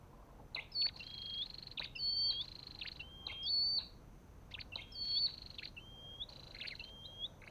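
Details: Olive-backed tailorbird calling steadily: upward-sliding whistles paired with buzzy trilled bursts and clicking notes, roughly forty phrases a minute, quiet background.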